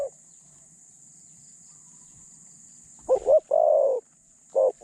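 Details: Spotted dove held as a decoy to lure doves, medium voice; after nearly three seconds of quiet, a wavering double note precedes one long coo, then a final short coo begins.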